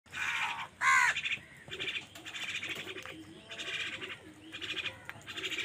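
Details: Angry crow fighting with wild birds over food: one loud, harsh, downward-bending caw stands out amid dense, buzzy chattering bursts from the other birds.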